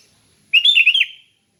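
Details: ["Short relaxed 'ngeplong' warble from a sooty-headed bulbul: four liquid notes flowing together in under a second, ending on a lower dip, against a silent background."]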